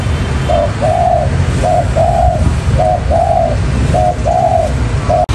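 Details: Spotted dove calling as a trapping lure for wild birds, repeating a two-part coo about once a second, a brief note then a longer mellow one, five phrases in a row over steady low-pitched background rumble.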